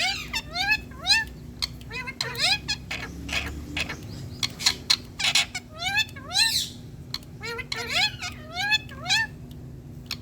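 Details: Indian rose-ringed parakeet, a green ringneck, talking while perched on a plant: repeated rising and falling whistled speech-like phrases and squawks, loud and continuous, over a steady low hum.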